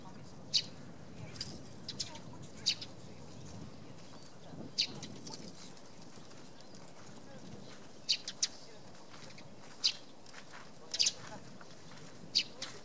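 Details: A Eurasian tree sparrow at a nest hollow in a poplar on Tatyshev Island, Yenisei River, Krasnoyarsk, in March 2017. It gives short, sharp chirps at irregular intervals, roughly once a second, over a low background rumble.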